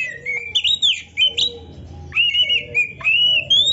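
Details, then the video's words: Oriental magpie-robin singing in a full-isian masteran for training songbirds: long, sweet whistled phrases that rise and dip, with short sharp notes between them. "Suara Burung Kacer yang cocok untuk Latihan kicau"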